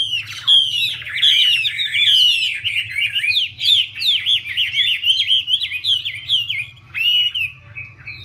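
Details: Chinese hwamei stimulated by a dancing female: a bright run of zigzag whistled notes, loud and varied, ending in a slurred descending note, steady low hum underneath.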